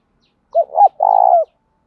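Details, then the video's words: Spotted dove calling to stimulate other doves: two quick rising-falling coo notes run together, followed by a long buzzy rolled note that drops slightly at the end, in silence. "tieng cu gáy thúc va gay goi chim cu gay kich boi nhanh noi hiệu quả, cu đất gáy giọng hay"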